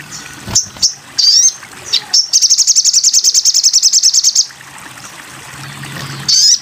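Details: Crimson sunbird song for training cage birds: scattered high chirps and a rising whistle lead into a long, even, rapid trill of thin ticking notes lasting about two seconds, then quiet hiss and a final high phrase.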